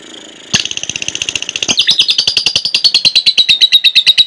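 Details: Lovebird ngekek used as a lure for training: a long, fast, chattering trill of sharp, high, buzzy pulses. It starts after a short pause, then speeds up and runs steadily without a break.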